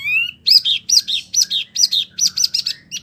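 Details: Wambi song for teaching oriental magpie-robins and other birds: a rising thin whistle, then a steady string of doubled, rolling chirps repeated roughly every quarter second.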